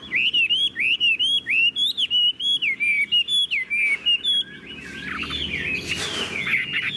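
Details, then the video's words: Tame caged Chinese hwamei pouring out a fast string of clear, loud whistled phrases with bending pitch, ending in a softer, scratchier warble under some rustling noise. "Họa mi đẳng cấp, chim thuần, hót như 1 cái máy"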